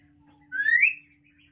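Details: Pet hill myna known for talking, whistling one rising note that swells and then fades, with a low indoor hum behind it.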